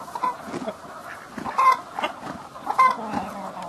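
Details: In spring, a very old hen losing her voice, excited after an egg was placed under her as if she had laid it, clucks in short uneven bursts about one a second, with brief higher squawks, amid excited rooster and frogs.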